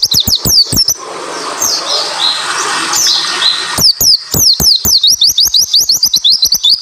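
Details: White-eye song in the rapid, tightly packed style used to coax silent birds into song: a burst of sharp high chirps, a hissy pause of about three seconds, then a long fast run of sweeping notes.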